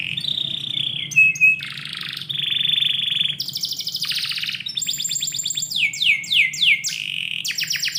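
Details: Canary singing indoors in the morning with a rich sequence of level whistles, buzzy bursts, a long sustained trill, high rattles and repeated falling sweeps, loud and continuous, a low hum faintly present.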